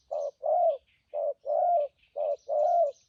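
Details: Wild-caught spotted dove, good-voiced trapping decoy, repeating three clear short-long coo pairs in thúc gù style, the longer note full and gently downslurred; scattered soft chirps of other birds in the background.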